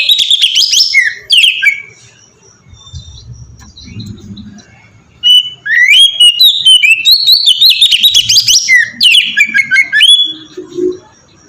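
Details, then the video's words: Oriental magpie-robin (kacer) singing in the ngeplong style, used as a lure to make kacer sing: loud, clear whistled phrases with slurred rising and falling notes, a quiet pause, then a long continuous stretch of varied, rapid warbling. "suara burung kacer ngeplong merdu sangat ampuh buat pancingan kacer"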